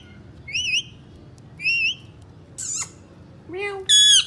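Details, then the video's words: Indian ringneck parakeets, three kept parrots, giving a series of short whistled, wavering calls at about one-second intervals, ending in a louder squawk and a rising-falling whistle. "Three parrots amazing talking video"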